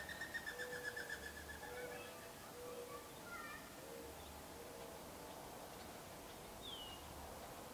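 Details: Gambel's quail hen gathering her chicks in Gold Canyon, Arizona, in May: a quick descending run of faint repeated notes, then soft low clucks spaced about a second apart, all quiet against a hushed background.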